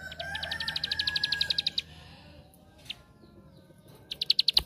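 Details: Ciblek sawah, the bar-winged prinia, giving lure song meant to set off other prinias. A quick rattle of high chips fades out, a lone note follows, then a louder rapid burst closes, with background noise throughout.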